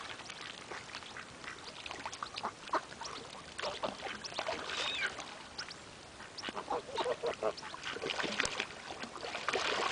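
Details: Two domestic geese (Anser anser domesticus) at breakfast time at Cowm Reservoir, Whitworth, near Rochdale, Lancashire, on 14 August 2009 gabble and honk in a steady, overlapping stream of short, nasal calls with no clear pause.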